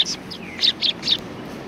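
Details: Eurasian tree sparrows in Japan on 28 December 2019. Five short, bright chirps come in quick succession, with a faint thin down-slurred note between them.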